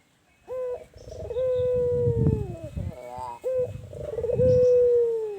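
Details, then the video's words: Albino ringneck dove, tame, calling in hot surroundings: a long, smooth, level coo falling slightly at the finish, a quick rippling rattle, then another drawn-out coo beginning, over a faint low rumble. "Burung Puter Albino Jinak Manggung di Tepat yang Panas"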